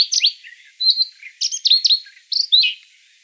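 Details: Song of a Siberian rubythroat, played as a lure for bird trapping, in several short bursts of bright warbling whistles and slurred, scratchy notes separated by brief gaps, ending in a fading phrase.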